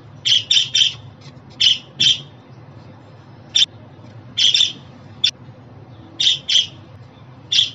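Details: Budgie calls for a pet bird: roughly fifteen scratchy chirps in small bursts of two or three, some very clipped, with uneven pauses and a soft background hum.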